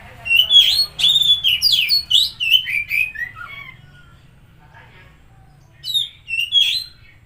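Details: Oriental magpie-robin song used to stimulate a silent or stressed bird: a rapid run of varied whistled and slurred notes descending in pitch over three seconds, a pause, then two more bright whistled phrases.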